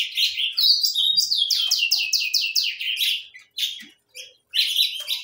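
A saffron finch sings a bright, high phrase: a quick run of about eight sharp, downslurred chirps, then a brief pause before more chirpy notes.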